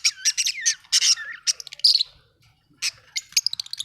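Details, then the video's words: Budgerigar chirping, described as an Australian bird: rapid bursts of high, scratchy warbles and squeaky chirps with gliding notes, a brief pause near the middle, then more clipped chatter resuming. "budgie chirping sound"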